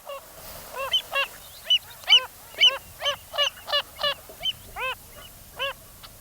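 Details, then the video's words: Wilson's phalarope, the spinning bird of salt lakes: a series of short nasal, honking notes with rich harmonics, about a dozen spaced irregularly over six seconds, loud and clear against a quiet background. "this is the call of that spinning bird of Salt Lakes, the Wilson's phalarope."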